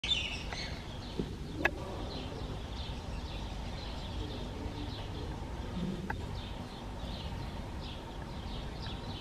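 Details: Swallow chicks in the nest, being fed, give a steady run of thin, high, rapid twittering begging notes over a low background hum, with a couple of sharp clicks.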